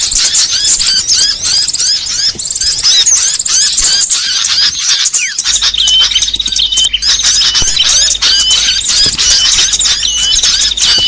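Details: Trapping lure for many small bird species including iora and konin: quick high chirps and twittering trills for about five seconds, then an abrupt shift to another chattering mix with a long sustained thin whistle.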